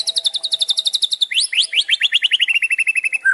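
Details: A young white-rumped shama, used as a provoking lure call, gives quick, high chattering phrases, then a fast run of sliding chirps stepping down in pitch, ending on one lower note.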